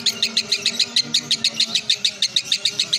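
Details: Competition lovebird in Indonesia giving a quick series of bright, clipped high chirps at an even pace, roughly four or five per second, over low background rumble and faint murmuring.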